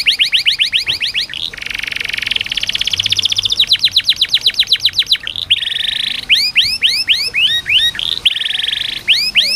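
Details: Canary singing as a training and therapy recording meant to coax reluctant canaries into song; fast trills of rising upswept notes alternate with dense buzzy rattles and rapid repeated chips, changing phrase every second or two.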